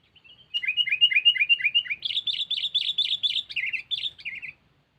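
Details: Sooty-headed bulbul lure call used to call a rival for trapless bird catching: a run of about seven quick down-slurred whistled notes, then a faster, higher series of bright chirps and a few lower closing notes.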